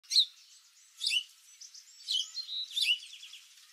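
Golden-crowned sparrow giving four short bursts of high, thin, twittering chips about a second apart, with faint background hiss.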